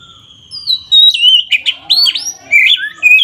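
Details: Oriental magpie-robin (kacer) in loud ngeplong song aimed at triggering rival birds' anger; a long steady whistle, then rapid upslurred and downslurred whistles mixed with sharp, scratchy notes.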